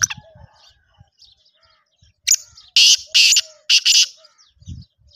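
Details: Grating, high-pitched call of a Black francolin: a brief opening note followed by three loud rasping bursts about half a second apart, in an otherwise quiet setting with faint distant chirps.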